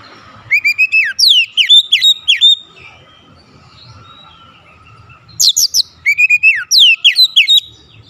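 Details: Oriental magpie-robin singing as a lure to make other magpie-robins agitated and singing: two long, loud phrases of sustained whistles and rapid descending notes, separated by about three seconds of quiet.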